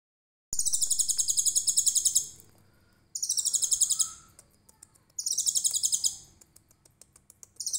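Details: Konin, trotol type, singing with a 'tembakan cililin' burst style: three long, very high, rapid buzzy trills of about 1.5 seconds each, spaced roughly two seconds apart, with faint ticks between bursts.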